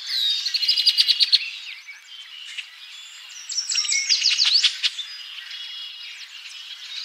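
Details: Red-winged blackbirds in Ottawa, Ohio, USA, on 8-5-2023 give a dense chatter of sharp, high chirps and short buzzy notes, with two busier bursts separated by a quieter stretch.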